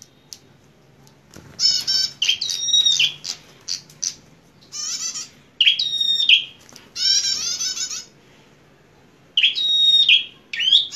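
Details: Fighting bar-winged prinia, excited and singing hard: a dense run of buzzy rattling bursts and looping whistled notes, phrases tumbling closely together with short breaks, finishing with two strong whistled-buzzy phrases.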